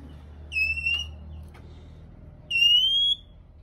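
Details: Male Oriental magpie-robin whistling continuously to push other birds into singing: two long, clear, drawn-out whistles, each slightly rising, about two seconds apart, with quiet gaps between them.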